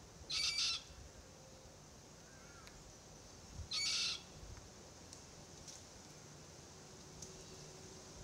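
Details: Two drawn-out, buzzy, high-pitched begging squeals about three seconds apart come from an immature Forest Red-tailed Black-Cockatoo (Calyptorhynchus banksii naso) complaining incessantly while its parents eat gumnuts in a Marri tree.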